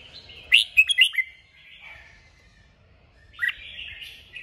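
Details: Red-whiskered bulbul singing in 'kích bổi' style, meant to trigger singing: a rapid run of four or five loud, sharp whistled notes, a softer trailing warble, then another bright phrase after a short pause.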